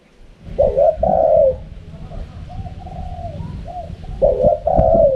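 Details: Spotted dove cooing in the wild-style 'karam pa' manner: mellow two-part coos at the start and end, with quieter coos between over steady low background hum.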